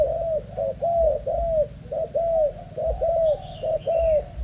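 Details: Caged spotted dove, Malaysian line, one of a pair of males used as breeding stock: rhythmic paired coos, a quick note then a drawn-out curved coo, repeated evenly, with faint high bird chirps in the background.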